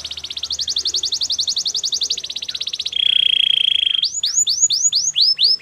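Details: Singing canary: rapid pulsed trill, then a sustained bright whistled roll, followed by a series of loud sweeping chirps repeated about twice a second.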